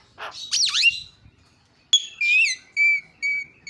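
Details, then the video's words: Javan myna calls used to provoke other mynas into calling: a harsh rasping burst, a sweeping squealed note, then a sharp click followed by clear whistled notes repeated about every half second. "SUARANYA MENGGODA JALAK CEPAT TERIAK"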